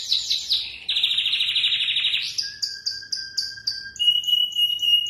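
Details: Canary in full song: descending sweeps at the start lead into a long, fast buzzy trill, then a run of clear repeated notes and a steady high whistled tone. No other sounds.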